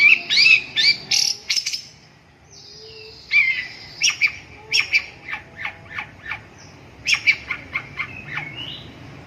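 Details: Long-tailed shrike giving harsh, scratchy high notes and short emphatic chips, repeated roughly two to three per second in irregular runs, with a long buzzy note and brief silence between groups.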